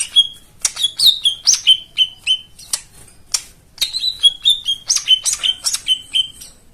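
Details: White-eye song played to coax silent birds into song: rapid series of clear high whistled notes, many slurring downward, delivered in two long runs with a brief pause between them.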